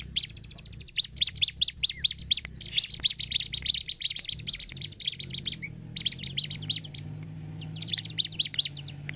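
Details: Bar-winged prinia in energetic song, played as a lure to provoke other birds into singing: rapid bursts of sharp, high chirps repeated several times per second in dense runs, with brief pauses and a faint low hum underneath.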